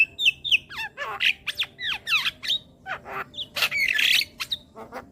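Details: Training song of Javan myna for young birds, played daily: rapid chatter of falling whistled slurs, clicks and buzzy squawks, roughly four notes a second, ending in a harsh rasping burst.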